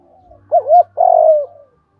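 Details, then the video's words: Spotted dove cooing to lure wild birds: a wavering hollow double coo followed by a long rolling purr that slides downward and fades. "Chim cu gáy mồi tiéng thúc gáy gọi kích là bổi gáy luân"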